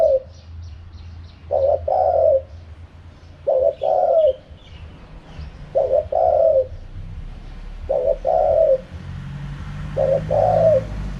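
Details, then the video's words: In the wild 'karam pa' style, a spotted dove repeats five two-part coo phrases roughly every two seconds, a brief note leading into a longer burry coo, with faint chirping of other birds behind. "เสียงนกเขาใหญ่ คารมป่า 100"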